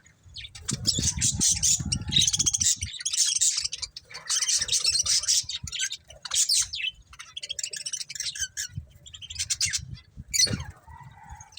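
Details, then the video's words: Breeding pair of budgies chattering almost continuously in dense, scratchy, high warbled phrases broken by brief pauses, with soft low thumps or rustling early in the recording. "Cute Budgies Chirping Sounds"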